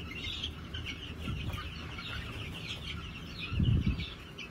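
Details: Flock of New Hampshire chickens on a farm in March 2021 keeps up continuous high chirps and clucks from many birds, with a constant low hum and a brief louder thud near the end.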